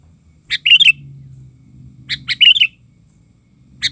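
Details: Sooty-headed bulbul, agitated and singing while a lure bird is used to catch wild birds: short bright chirpy phrases of quick warbled notes come twice, about two seconds apart, over a low hum.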